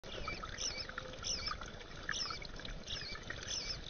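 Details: In a backyard where bluebird parents have brought their young to be fed, a male bluebird and fledglings give high, squeaky chirps and chatters in short bursts roughly every second, over a low rumbling background noise.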